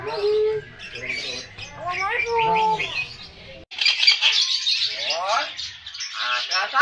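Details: Cockatoo imitating the Islamic call to prayer: drawn-out harmonic, wavering voiced tones mixed with squawky, gargling sounds, a brief break, then harsher raspy phrases; human speech is faintly audible.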